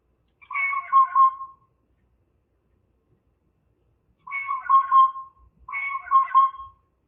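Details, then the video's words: A blue jay gives three drawn-out, harmonic, mewing calls, each about a second long, with silence between. The calls are slowed down and lowered in pitch. "The Harmony of Bird Sounds - Blue Jay (Cyanocitta cristata)"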